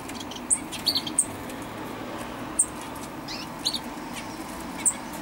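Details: Great tit calling, recorded 20 October 2012: sharp, very high, brief notes and a few lower chirps scattered irregularly, about eight in five seconds, over steady low background hiss.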